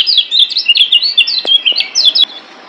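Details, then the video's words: White-eye from Lombok, locally called kecial kuning, singing a training master song: a bright, rapid string of high chirps and short slurred whistles lasting about two seconds, then quiet. "Masteran Kecial Kuning Ampuh Bikin Kecial DIAM Malas Bunyi Jadi NYAUT GACORRR"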